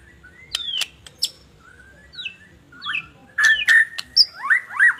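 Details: White-rumped shama song for prompting other shamas: scattered clicks and thin whistles building to a fast series of loud, looping whistled notes.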